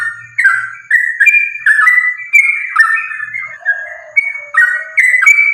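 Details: Sooty-headed bulbul giving continuous fighting song to draw other bulbuls into singing: bright whistled phrases with quick slurs, interrupted by a lower buzzy warble, then resuming.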